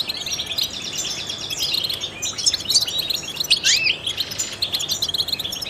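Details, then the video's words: Trained European goldfinch in lively song: high, scratchy twittering interwoven with short buzzy trills and a distinct rising, ringing slur, the notes crowding rapidly one after another. "in the wild goldfinches chirp to stimulate songbirds"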